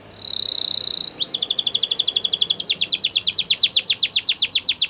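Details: Canary singing a training song: a steady high buzzy tone for about a second, then rapid repeated down-slurred notes near four per second over faint background hiss.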